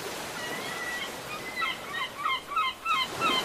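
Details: Gulls calling over ocean waves on a beach: a series of short, sharp, slightly bent notes repeated in quick bursts, heard over steady roaring surf.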